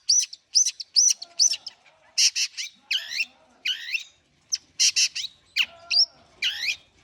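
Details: Long-tailed shrike (cendet) warming up: a varied mix of high whistled notes, harsh raspy bursts and downslurred screechy phrases tumbling out in irregular order.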